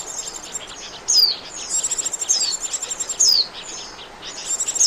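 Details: High, rapid pulsed trills alternate with clear falling whistles from Oriental white-eye, a call played as a lure for trapping birds.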